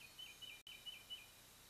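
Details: Brief, high, thin chattering notes repeated in a short series, with a momentary dropout midway, from adult bald eagles visiting their nest near Kincaid Lake, Louisiana, after their young fledged, 3-10-23.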